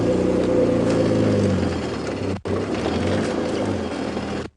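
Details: A vehicle engine rumbles loudly and steadily, briefly cutting out midway, with no animal calls heard.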